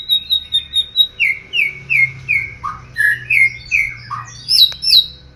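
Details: A white-rumped shama delivers a run of clear, downslurred whistles repeated about three times a second, a few lower notes mixed in, ending with sharp high ticks and chips over a quiet background.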